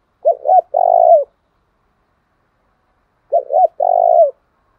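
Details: Spotted dove cooing as a lure to draw wild doves and provoke them to fight. Two phrases about three seconds apart, each two short mellow hooting notes and then a longer, slightly wavering coo that falls at the end. Clean, quiet background.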